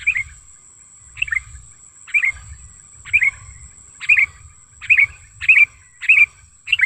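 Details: Sooty-headed bulbul in the wild, lure sound: sparse chirps at first, then quickening into closely spaced bright two-part notes, with a persistent thin high whine and low background rumble.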